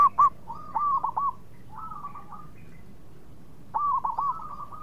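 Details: Local zebra dove, its song used to lure rivals into quick replies, giving short rolling phrases of soft, bubbling coos with hooked notes, three brief bursts with gaps between.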